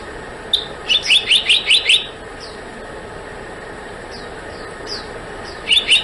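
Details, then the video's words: Black-naped monarch calling: a quick run of about six sharp, chirping notes, then a short burst at the end, with faint down-slurred whistles between and a steady high insect-like hum throughout. "黑枕藍鶲的叫聲/Sound of Black-naped Blue Monarch"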